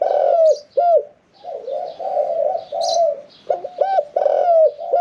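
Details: Spotted dove in a cage, one year four months kept, middle-pitched 'khan yon 1 kuk' singer not yet entered in a contest cage; steady coos with a series of quick looping notes, faint chirps from other birds above.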